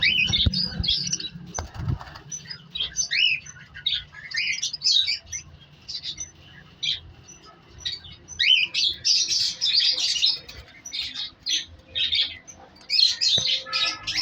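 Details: Several cockatiels in a breeding cage holding eggs and chicks in winter chirp and chatter in a busy mix of bright, high calls.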